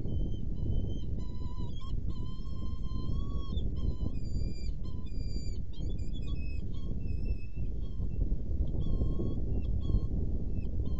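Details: Saker falcon at a nest box during feeding time, 10 May 2018 at 10:46. Thin, drawn-out whistled wails with bright overtones repeat steadily through the clip over a constant low rumble of wind or microphone noise.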